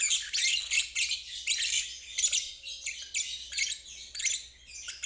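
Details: Lovebird ngeriwik trill for stuck birds and fledglings learning to trill: rhythmic buzzy chattering bursts, high pitched, repeated about every half second.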